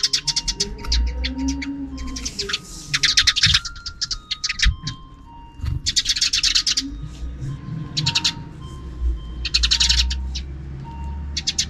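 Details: Sparrows noisy in the afternoon, calling near a fixed camera: repeated bursts of fast, harsh high chattering notes with short gaps between, over a steady low hum and faint tonal beeps.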